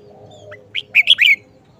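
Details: Short song phrase from a red-whiskered bulbul, a frequent singer: one soft lead note, then a tight run of three or four sweet, ringing whistles lasting under a second over faint hum.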